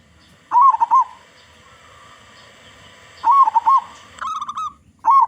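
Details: Local zebra dove (perkutut lokal), described as having a big voice, singing as a lure for other doves: wavering, bubbling coo phrases near one pitch, repeated about every two seconds, with faint steady background hum.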